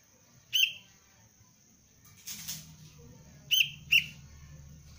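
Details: Sooty-headed bulbul chick, used as basic cengkram lure training, gives short piercing chirps: one single note, then a rustle like wing flapping, then a quick pair of high chirps, with steady low background hum.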